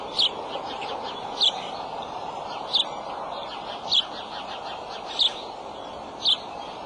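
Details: Adult male bald eagle at the nest with eggs, calling on March 23 in the afternoon: sharp, high chips spaced roughly a second apart, six in all, against a constant hiss of background noise.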